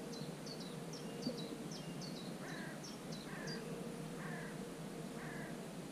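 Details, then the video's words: Common cuckoo chick sitting in a marsh warbler's nest on 24 June. It repeats high, thin calls with a falling tail, roughly three a second. Lower, harsh double notes break in several times from about halfway, against a constant background hum. "Кукушонок в гнезде 170621 3 болотной камышовки 24 июня"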